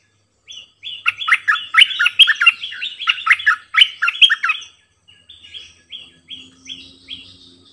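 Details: Decoy bulbul singing many songs in a doubled phrase style: a rapid burst of rich, bubbly warbled notes lasting about four seconds, then a series of short, clear rising whistles repeated about every third of a second.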